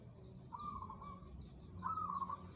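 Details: Zebra dove of a local strain, said to be suited to song contests, delivering two short, purring coo phrases with a rolling trill, separated by about a second of quiet background hum.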